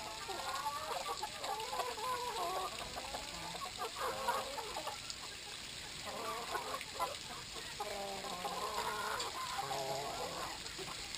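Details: Brahma chickens at drinking time, several birds giving soft, overlapping clucks and murmured calls in loose irregular runs, with a steady high electrical hum throughout.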